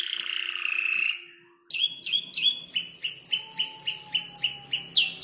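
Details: Young canary, around five months, arranging a song from other birds' calls it has heard. A buzzy trill fades to a short silence, then rapid crisp repeated notes continue over a faint low hum and a thin steady tone.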